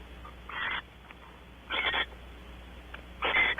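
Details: Wild barn owls mating on a porch at Audubon Starr Ranch, California: three harsh, hissing screech bursts, each about a third of a second, separated by pauses of a second or more.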